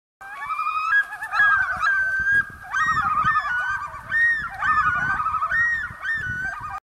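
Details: Common loon; yodel; warning males to stay away from its territory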